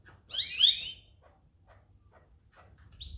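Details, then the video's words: One loud, rich chirp from a domestic canary, sweeping down and then flattening, is followed by quiet and a short rising note at the end. "domestic canary birds"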